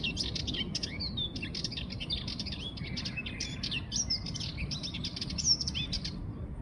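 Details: Sardinian warbler singing a rapid, scratchy chatter of dense high notes mixed with short whistled slurs, continuous through the passage over a steady low rumble of background noise.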